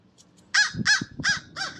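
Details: At a seed bowl, an American crow gives four hoarse, evenly spaced caws in under two seconds, each a short harsh burst, over light low-pitched background noise.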